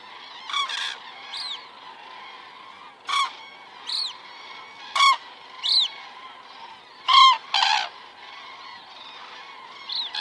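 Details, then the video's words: Common cranes flying over at 19:10 on an Estonian evening, 19 September 2017, picked up by a crane cam; loud separate rolling trumpet calls, some rising then falling, about eight bursts in ten seconds over a softer background chorus. "cranes flying over"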